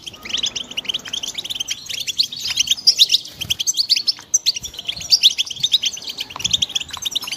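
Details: European goldfinch chicks calling together: a dense, continuous chatter of short, high, thin chirps and twitters from several birds at once, overlapping without pause, with a few louder sharp notes standing out.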